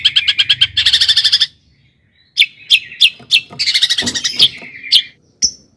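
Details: Long-tailed shrike song meant to rouse rival shrikes: a fast rattling trill of rapid notes, a short silence, then sharp chips building into another buzzy rattle and a final faint note.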